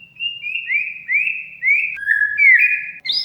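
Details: Oriental magpie-robin song as a lure for a non-singing bird: five or so rising whistled notes, then a lower buzzy note and a bright upward whistle, ending with a high squeak.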